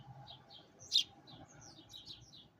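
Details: Sparrow outside a window, heard close up, giving a quick run of thin high chirps and slurred notes. One sharp, louder chip stands out near the middle over a soft low rumble.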